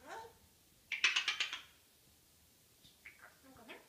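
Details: Pet African grey parrot babbling in the morning: a soft opening call, a fast burst of about six sharp clicky notes, then several quiet squeaky, rising mutters.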